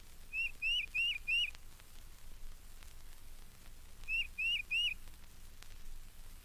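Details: Tufted Titmouse, a regular at the bird feeders of Mountain Lake Sanctuary, Lake Wales, Florida, from a 1970 record: two bursts of four clear upslurred whistled notes, about two seconds apart, over soft hiss.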